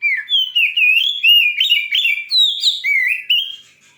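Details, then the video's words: White-rumped shama singing to provoke a listener's shama: a rapid string of clear, fluty whistles with swooping up-and-down slurs, bright and unbroken for several seconds. "Suara burung kacer terganas.sangat ampuh cepat bikin emosi Kacer anda.!"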